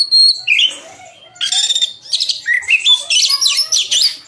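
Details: Oriental magpie-robin (kacer) in full, energetic song packed with varied phrases: bright whistled notes, rising slurs and harsh buzzy bursts in quick succession, loud and clear against a quiet background.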